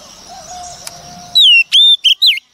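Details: Wild-caught female Oriental magpie-robin singing to stir up males: after a low hum, loud clear whistles arrive, a long falling note, then short slurred whistles, with loudness clipping.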